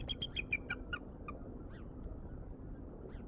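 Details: Bald eagle at the Decorah nest on live nest camera: a quick run of high, thin piping notes that fall in pitch, then two softer isolated squeaks, with steady low background rumble.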